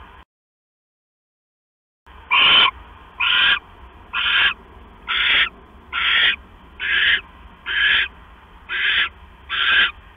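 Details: Night of September 6, 2015, 10:52 PM: an owl pair as the male hands the female a mouse; after two seconds of silence, a regular string of nine harsh hissing bursts, roughly one per second.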